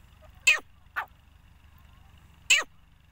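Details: Female voice of a grey francolin (partridge): a harsh, abrupt note, then a softer, shorter one, and after a pause another loud explosive burst with a brief falling tail, against a steady low hum.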